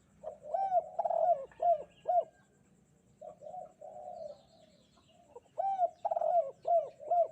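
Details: Kuk 2 cooing from a spotted dove on a bright morning. Three bursts of mellow, arched coos are repeated roughly every half second, with softer drawn-out coos between the bursts and a quiet background.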